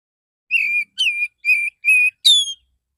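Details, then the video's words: Male Oriental magpie-robin in morning song, relaxed and calling others of its kind; five clear, steady whistled notes evenly spaced about every half second, the last rising higher and brighter. "Pancingan burung kacer jantan pagi hari suara santai panggil kacer lain"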